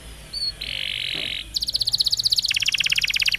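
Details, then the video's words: Canary training song for young birds and for canaries that have stopped singing: a steady buzzy note, then rapid rattling trills of sharp high notes, shifting lower partway through. "Kenari Gacor Panjang !! Masteran Burung Kenari PAUD dan Pancingan Kenari MACET BUNYI"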